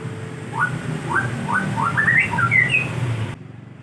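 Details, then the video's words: White-rumped shama song as a lure to prompt birds to answer: several short rising whistles that speed up into a quick twisting phrase climbing higher, over a low rumbling background. "Pancingan bunyi Murai agar nyaut!"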